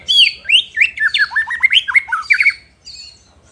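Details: White-rumped shama in full song meant to provoke rival shamas: loud, rich, varied whistled phrases, rising and falling quickly, one liquid note after another, with a faint low rhythmic background noise.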